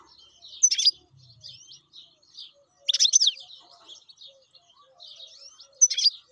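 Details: Wild European goldfinch in song: loud, sharp, tinkling twitter bursts about every two and a half seconds, linked by softer rapid chatter.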